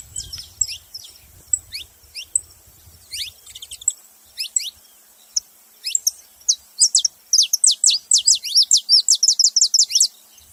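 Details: Saffron finch calling: sharp high chirps, sparse at first, then a fast run of steep descending notes in the last third, about three per second, clear and dry.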